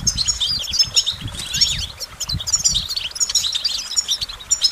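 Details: Goldfinch twittering in quick, high, tinkling bursts with a few down-slurred notes, repeated rapidly, over soft low thumps and rustles.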